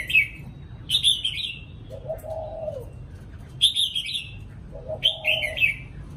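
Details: Spotted dove thổ cụ coos: two low, rounded coo phrases between louder bursts of high, bright twittering chirps from other birds.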